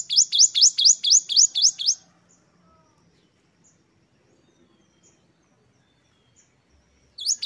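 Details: Great tit in full song, 'wucit-wucit' variation: one fast run of about seven sharp, upslurred whistles, followed by several seconds of near silence before the phrase starts again at the very end.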